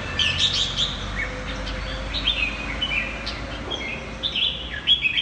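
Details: Red-whiskered bulbul of the 'mơ hai mí lửa' type singing in the 'ché' style: quick whistled, warbling phrases sliding between high notes, delivered in short bursts over about five seconds with faint background hiss.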